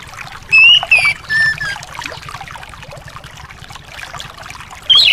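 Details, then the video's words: Anis song for a bird that is lazy to sing: two short whistled phrases near the start and another at the end, separated by a stretch of watery hiss. "terapi anis males bunyi/anis macet"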